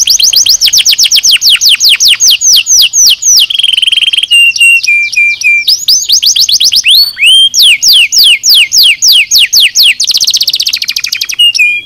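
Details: Canary song in a style called nozes, played for training birds: loud, fast rolls of high downward-sweeping notes, broken by steady whistled tones and rapid buzzy trills, continuing without pause.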